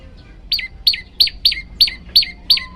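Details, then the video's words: {'caption': 'An olive-backed tailorbird repeats seven strident downslurred notes about three times a second after a brief quiet start, recorded as a master track for training birds; a faint thin whistle sounds near the end.'} "masteran burung prenjak lumut variasi"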